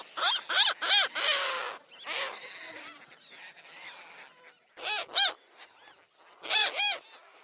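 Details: Seagulls calling: loud arched, nasal notes given in quick bursts of two to four, with quieter scattered calls between the bursts.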